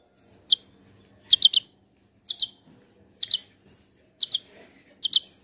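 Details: Javan tesia singing busily in a contest-style tutoring recording: sharp, very high clipped notes in clusters of one to three, repeated roughly every second, with faint soft chips between and an otherwise quiet background.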